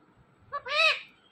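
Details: Pet parrot, five years old and known for saying "Mittu Mittu", makes one short grating squawk after a brief lead-in note, with faint low background hum.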